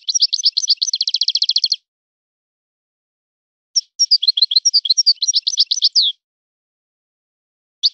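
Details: European goldfinch song in a named local style: a fast, dense trill of ringing notes, a pause of about two seconds, a longer twittering phrase with buzzy slurs, then the start of another phrase. The background is silent.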